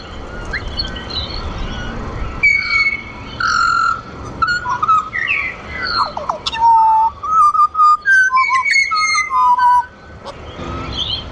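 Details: A wild pied butcherbird (Cracticus nigrogularis) in Australia, being hand-fed and encouraged to sing, gives rich, fluting whistled phrases, notes sliding up and down in a varied melodic sequence; faint background hum and a few soft clicks.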